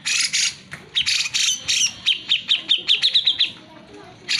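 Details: Grey-cheeked bulbul singing hard to stimulate lazy birds: rough scratchy bursts followed by an accelerating string of sharp whistled notes, ending in another harsh burst.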